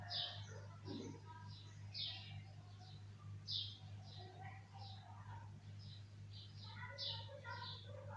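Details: Bulbul calling in quick, high, clipped chirps scattered through the recording, with a few lower notes between them and a constant low electrical hum behind.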